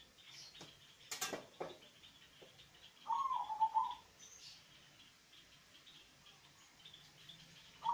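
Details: Local zebra dove with a bassy voice, meant as a lure for reluctant singers: a single throbbing coo phrase midway, after sharp clicks and knocking sounds, and the start of another phrase at the end.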